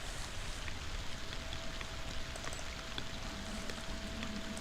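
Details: Steady patter of rain and dripping water with a faint constant hum beneath, and no animal voice heard.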